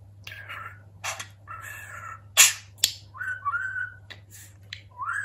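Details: Indoor pet budgerigar, a talking bird, mixing harsh buzzy notes with clear whistled slurs that climb toward the end, plus a couple of loud sharp clicks, over a soft background hum.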